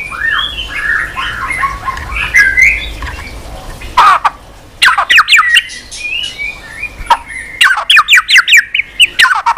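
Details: White-rumped shama singing continuously with many strange voices while flicking its tail on the perch. A soft warbled passage is followed by rapid series of sharp, clipped notes and quick chattering phrases.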